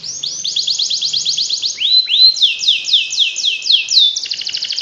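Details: Tutor song of a canary to make reluctant canaries sing nonstop. Quick rolled trills give way to upward-swooping whistles, a series of curved falling notes, then a fast chattering trill.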